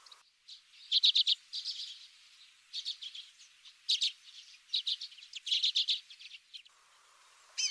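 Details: A Common redpoll (Acanthis flammea), a finch, gives dry, buzzy, high-pitched trilled chatters in bursts of rapid notes repeated throughout the clip.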